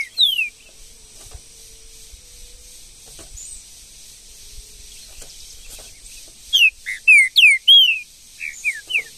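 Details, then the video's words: Green-winged saltator in the woods giving loud, clear whistled notes that slur sharply downward, a brief burst at the start, then a rapid string of phrases near the end, over faint background hiss. "MUITA FIBRA trinca ferro"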